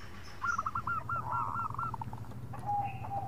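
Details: Local zebra dove calling companions in khong style: a short run of rapid hooked cooing notes over strong low-frequency background rumble, followed by a soft drawn-out note.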